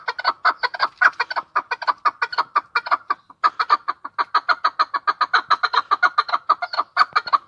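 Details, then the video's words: Chukar partridge in Tajikistan giving a long, fast run of hoarse, clucking chuk notes, about four per second, with a brief pause near three seconds before the series resumes. "Как поёт горная Куропатка,Кеклик 2020.Partrige,Keklik in Tajikistan"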